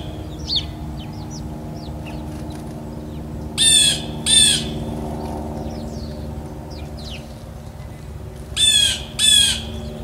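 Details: Blue jay recorded outdoors in real time. Two pairs of loud, harsh, rasping calls come about five seconds apart over faint high chirps from small birds and a steady low background hum.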